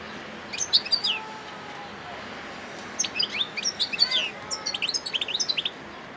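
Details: Wild European goldfinch singing in Sidi Bel Abbes, Algeria, on 17 December 2021: scattered bursts of high, twittering, tinkling notes over a steady hiss of background noise.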